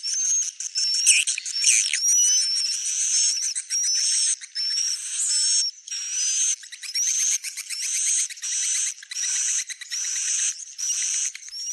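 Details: Swiftlet calls: repeated buzzy, high chirping bursts, each about a second long with a rising whistled note on top, separated by short gaps.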